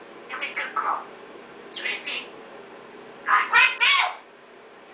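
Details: Talking parrot producing speech-like syllables with bright harmonic bands: a quick cluster near the start, a pair of bursts around two seconds, then a louder run of three syllables toward the end, over a steady low hiss.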